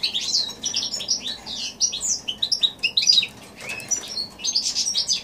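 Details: High, sweet song of a goldfinch x canary hybrid, January 2016: separate clear whistled and twittered notes in loose bursts, with a short pause before a final rapid phrase.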